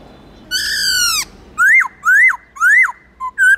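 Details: Captive black-throated laughingthrush in many-voiced forest-style song: a drawn-out falling note, then three steep rising-and-dropping whistles and two short clipped notes at the end.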